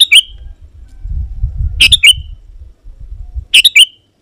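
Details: Sooty-headed bulbul singing to provoke rival wild birds into answering. Three quick chirped phrases sliding down to a thin whistle, with a low rumble, like handling noise or wind, underneath between them.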